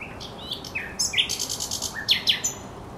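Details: Thrush nightingale singing by the Żerań Canal on 24 April 2022: a varied phrase of rising whistles, then a dense run of rapid clicking notes and sharp high chips.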